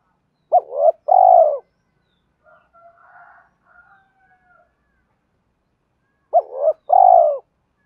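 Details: Spotted dove used as a decoy caller to attract wild birds: two brief phrases of a quick double note followed by a fuller, buzzy coo. A faint, scratchy chatter lies between them.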